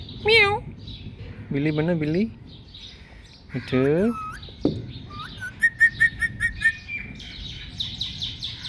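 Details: Talking Indian ringneck parakeet copying a cat's voice: several drawn-out wavering meow-like notes, then sharp whistles and a quick run of evenly spaced high clicks and chirps, ending in softer chatter.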